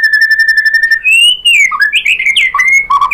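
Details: White-rumped shama song: a steady trilled note followed by a long rising clear whistle, then quick jumpy whistled phrases switching between high and low pitches.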